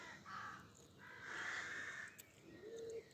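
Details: Dawn chorus at 5am, 25 May 2024, Pulford near Chester, Cheshire: a rook gives a short rasping caw, then a longer drawn-out hoarse one, followed by a low tonal coo from another bird at the end.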